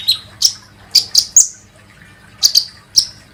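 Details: Sunbird known locally as kolibri ninja, heard as a lure meant to make birds sing: a few sharp, high-pitched chirps spaced irregularly, a short silence, then three more crisp notes.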